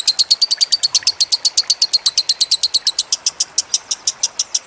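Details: Lovebird singing in a training recording for songbirds, a fast, even rattle of piercing high chirps that slows a little near the end.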